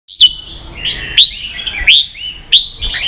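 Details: Red-whiskered bulbul singing in the "ché" style, used to train young birds to sing and to rouse kept birds: bright whistled phrases, each opening with a sharp rising note, repeated roughly every 0.6 to 0.7 seconds against a quiet background.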